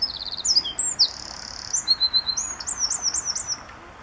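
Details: Eurasian wren song on a morning at RSPB Saltholme, 1 April 2014, one of several singing birds, Canon SX50 HS: piercing high whistles run into a sustained buzzy trill and then fast, bouncing chirped notes, all in about four seconds.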